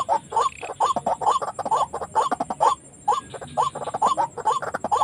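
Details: White-breasted waterhen calls sounded to trap birds, two of which were caught and released: fast, dense chain of hooked rising notes, about three per second, with overlapping chatter.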